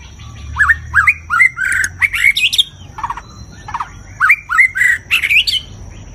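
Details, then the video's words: A white-rumped shama (Copsychus malabaricus) sings a rich, varied run of rising whistles and fluty slurred notes, several per second, with harsher chattering phrases mixed in. "chòe lửa hót, nhiều giọng"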